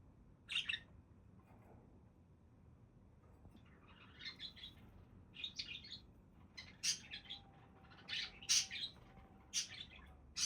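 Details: Budgies chattering in short, high, buzzy chirps. The calls are sparse at first, then come in quicker, sharper bursts toward the end, with a faint steady hum in the background.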